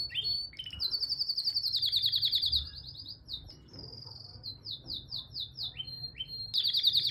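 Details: A green male canary sings a long, high run of rapid trills and rolling phrases, with quick buzzy notes and brief whistled slurs in between.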